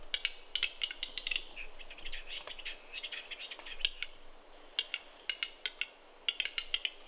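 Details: Western capercaillies fighting at a spring lek in snow at Kuusamo, Finland, in May 2021: dense bursts of sharp dry clicks and rattles, irregular and rapid, with short pauses between volleys.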